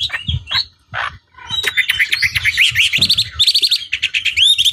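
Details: Chinese hwamei used to bait rival birds into singing: several knocking and scratchy sounds open, followed by a fast stream of high, repeated whistled notes climbing in intensity.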